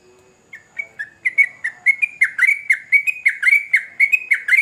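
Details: Sooty-headed bulbul singing energetically, beginning with a few separated whistles and swelling into a fast, continuous chain of bright, gurgling notes.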